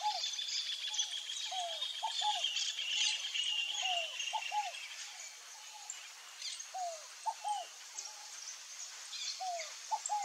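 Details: Scaled dove giving its song over and over: phrases of two or three low, arched cooing notes, repeated every second or two, against constant high insect buzzing and faint chirps from other birds.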